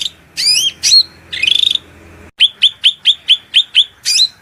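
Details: Cucak rante master training song, shrill and full of fill phrases: a few rising and hooked whistles, a buzzy trill, then a rapid run of sharp, evenly repeated high chips, over a soft low background of flowing water.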